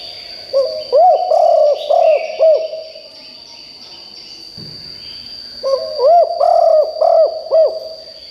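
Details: Decoy spotted dove calling strongly to draw replies from wild forest birds. Two phrases of five or six deep, rounded coos, each note bowed up then down, separated by a few quiet seconds, over a constant high-pitched tone.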